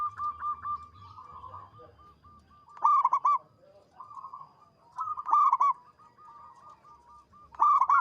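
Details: Local zebra dove with a loud, long, melodious song: a steady train of soft, evenly pitched cooing notes broken by louder rolling clusters about every two and a half seconds.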